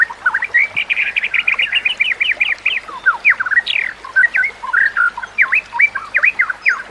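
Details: Training song of a white-rumped shama: a fast rattling run of repeated clipped notes, then looser varied whistles and sharp downslurs, delivered almost without pause over a soft hiss.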